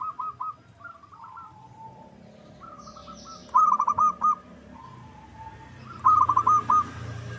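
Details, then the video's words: Zebra dove lure call, local perkutut, to make rival birds sing back: several soft coo phrases, then two loud rippling coo bursts at about 3.5 and 6 seconds. "Pancingan PERKUTUT LOKAL Agar Bunyi"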